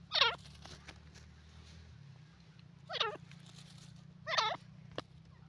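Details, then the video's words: Grey francolin in Pakistan, enjoying itself in mud; three loud, sharp, ringing call bursts about two seconds apart, each a rapid series of clipped notes, over a steady low hum. "dakhni teetar enjoying in the mud grey francolin irani teeter awaaz"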